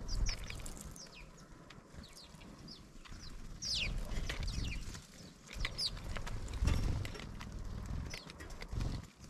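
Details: A noisy flock of house sparrows arriving at a newly discovered feeder chirps in short, overlapping notes throughout, over heavy low thumping and rumbling noise.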